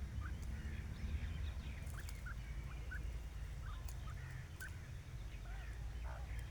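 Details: Soft, brief chirps and clucks from a grey francolin pair among grass, spaced irregularly about every half second to second, with a constant deep rumble of wind or handling noise underneath.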